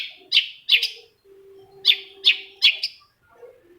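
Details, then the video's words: Long-tailed shrike song used to draw an answer from another shrike: two groups of loud, grating, buzzy notes, two then three, each note brief and harsh, with a soft steady tone between them. "PANCINGAN CENDET MALAS BUNYI SEKETIKA CENDET LAIN LANGSUNG NYAUT!!! | Singing of shrike bird"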